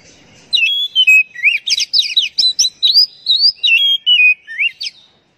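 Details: Oriental magpie-robin song, played as a lure to prompt captive birds to sing: a loud, fast run of whistled slurs mixed with harsh buzzy chirps, nearly continuous for about five seconds against a quiet background.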